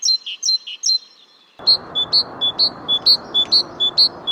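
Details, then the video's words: Great Tit singing, a European garden bird: bright two-note phrases alternating high and lower whistles, repeated rapidly. After a brief silence a second take of similar evenly spaced two-note whistles follows over steady background hiss. "Chant de la Mésange Charbonnière - GREAT TIT bird call"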